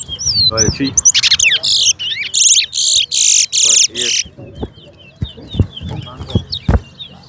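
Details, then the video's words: Chestnut-bellied seed finch (towa towa) in a singing competition: rapid bursts of sweet, rolling warbles and buzzy trills mixed with high chirps, while a man's voice counts the calls in the background. "TOWA TOWA BIRD SINGING COMPETITION"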